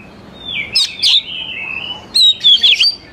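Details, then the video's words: Oriental magpie-robin song for luring young forest birds into singing: a long drawn whistle sliding downward with two sharp high notes, then a bright rapid cluster of rising and falling whistles. "KACER GACOR SANGAT AMPUH UNTUK MEMANCING KACER MUDA HUTAN BIAR IKUT NYAUT DAN LANGSUNG GACOR"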